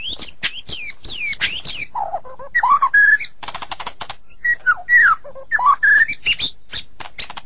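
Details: White-rumped shama in a sulking mood, used for therapy: sharp downslurred whistles at the start, low warbles, bursts of buzzy rattles, and several clear level and bending whistles in a varied, loud sequence.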